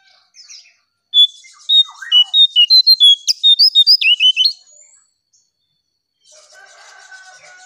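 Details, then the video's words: Lure song of the striped tit-babbler. Roughly fifteen loud, clear whistled notes come in a quick, regular series, ending with lower, bent notes, followed by a faint chatter of other birds. "𝙋𝙖𝙣𝙘𝙞𝙣𝙜𝙖𝙣 𝙟𝙤𝙣𝙜𝙠𝙖𝙣𝙜𝙖𝙣 𝙥𝙖𝙡𝙞𝙣𝙜 𝙙𝙞𝙘𝙖𝙧𝙞"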